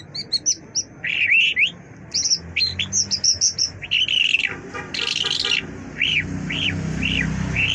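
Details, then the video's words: Mashhadi lark sings a rapid, varied run of sweet chirps and trills, ending in a series of clear, arched, slurred notes about once every half second over faint background hum. "Mashhadi lark singing مشہدی جل"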